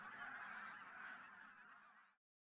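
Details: Hundreds of wintering wild geese, bean and white-fronted, at the Linum pond area in Brandenburg before sunrise, lifting off: a thick wall of overlapping honking and yelping from the flock for about two seconds, then cutting to silence.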